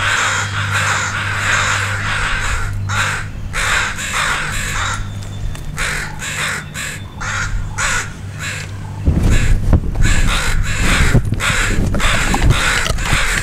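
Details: A mob of crows cursing a dog close to fledglings whose parents raised the alarm. Dense, rapid overlapping caws, almost four per second, continuing over a louder rumbling patch in the second half.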